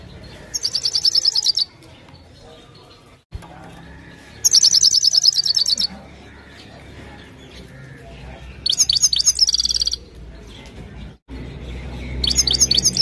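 A European goldfinch sings bursts of bright, tinkling twitters, each lasting about a second.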